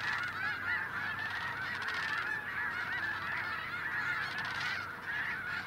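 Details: Large flocks of Snow Geese descending from the sky to land, a cacophony of honking. Many birds call over one another in a thick, unbroken mass of short, high nasal honks, swelling slightly in places.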